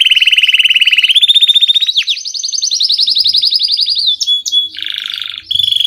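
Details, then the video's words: Song of a Belgian canary: a fast pulsing trill that climbs in steps from lower to higher pitch, then a drawn-out rolling phrase, quick upslurred whistles and a coarse buzzy tour at the end. "Som original do canário belga/original sound of the Belgian canary."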